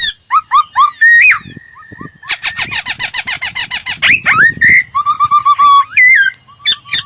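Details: Laughingthrush singing, used as a standard lure to train another bird's voice: short rising whistles, a long held whistle, then a dense rapid chatter of harsh notes, a swooping upslurred whistle, and a steady series of low clipped notes.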